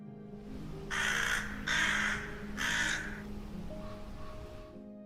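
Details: A rook, a social bird nesting in rookeries, gives one of its most common calls: three harsh, raspy caws about a second apart, each roughly half a second, over soft background music; recorded in the UK.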